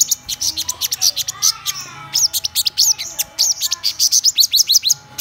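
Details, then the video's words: Black-throated sunbird song of quick, high, tinny chirps and brief twittering phrases, delivered in dense irregular bursts with short gaps. "Hút Mật Họng Đen Vip"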